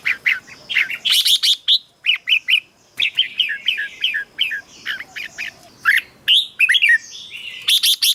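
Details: Caged red-whiskered bulbul singing, used to get other caged birds excited: dense run of rich whistled and warbled notes, rising and falling, with quick clicking notes between phrases and several overlapping voices.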